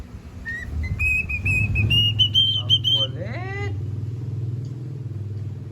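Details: A noisy pet cockatiel singing whistles a long, clear note that climbs slowly for about three seconds, then breaks into a few quick swooping notes over a steady low engine hum.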